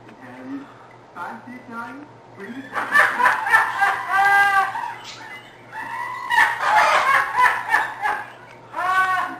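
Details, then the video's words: Pet red-lored amazon laughing when other birds attack people: bursts of rich, harmonic, chuckling laugh-like notes in quick runs, preceded by a few soft low vocal sounds, in a small room with a faint steady hum. "Red Lored Fuego Laughs At Bird Attack"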